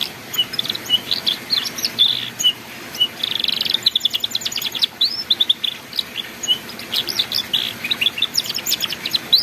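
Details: Young-canary training song in ngeriwik style: a dense, continuous run of high chirps, rapid twitters and short buzzy trills, with quick upslurred whistles tumbling one after another for the whole stretch.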